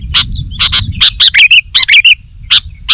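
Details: A sooty-headed bulbul gives short, bright, bubbly warbled phrases mixed with sharp ticking notes over a low rumbling background.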